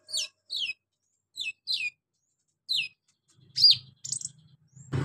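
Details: Van Hasselt's sunbird (kolibri ninja), a spirited singer carrying golden grasshopper, lovebird, cricket and cililin imitations: a string of high descending slurred chirps, then a sharp squeak and buzzy note as a low hum and thump come in.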